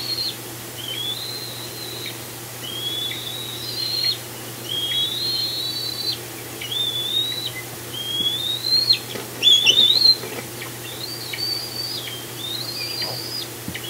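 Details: Bald eagles at Decorah on 18 June 2020, around the fledging of a young eagle: rapid series of thin, high whistled chirps, rising and falling in short chittering runs, repeated throughout, with a faint steady hum beneath.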